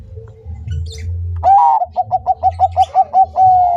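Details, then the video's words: Zebra dove of the Bangkok type singing vigorously: a loud drawn-out opening note, then a rapid, even run of about ten short, soft cooing notes, closing on a held note. Before it come faint chirps of other birds and a low rumble. "Perkutut bangkok gacor"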